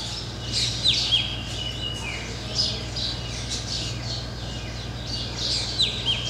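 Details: Pair of black drongos perched on white temple spires in Rajasthan, India, sallying out to catch flying insects; busy high chirps and squawky notes overlap in quick bursts, with short downslurred whistles and a steady low electrical hum.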